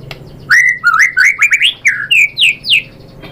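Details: White-rumped shama (murai batu) song played as a lure to make a bird answer and sing: a run of eight clear whistled notes, each sliding upward, climbing in pitch across the phrase, fairly quiet background.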